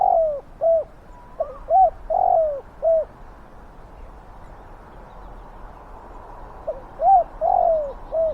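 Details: Spotted dove used as a decoy to lure wild doves, with a big, fierce voice: mellow mid-pitched coos in two bursts of short notes and a longer drawn-out, falling croon, separated by a quiet gap.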